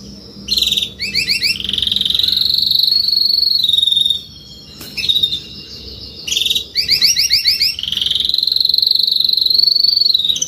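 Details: Adult Spanish Timbrado canary singing salsa song: two repeated phrases, each a rapid rattling roll of chopped notes flowing into a long, smooth, gently rising whistled tone, with brief pauses between.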